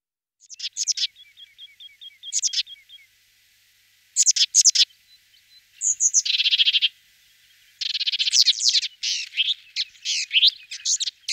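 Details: Sombre tit calling: scattered sharp high chips, a brief series of thin repeated ticks, then harsh buzzy chattering bursts and rasping stuttered rattles in irregular groups.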